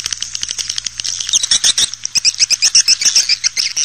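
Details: Lure call used to attract swiftlets into a nesting house: rapid high twittering that settles into a steady run of sharp chirps, about four per second, with a faint steady hum underneath.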